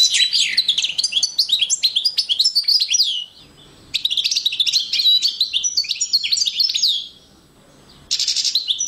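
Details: Male European goldfinch paired with a female canary, 2012, delivering three bursts of rapid twittering and jingling trills, separated by brief quiet gaps of about a second.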